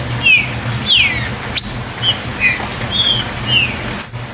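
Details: Green-winged saltator in the "chuva" song style, used to stir captive birds into singing: clear slurred whistles falling from high to mid pitch, given in short separate phrases, with sharp high notes and clicks between them over a steady low hum.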